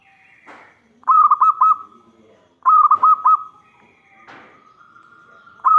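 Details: Loud local zebra dove singing as a lure for other doves. Short phrases of quick, trilled cooing notes repeat about every one and a half seconds, with soft scratchy background chirps and clicks between phrases.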